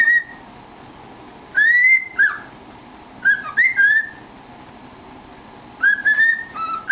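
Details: Singing cockatiel inside a cardboard tube at home: short whistled phrases of rising and falling notes come in three spaced groups, with a lower closing note at the end.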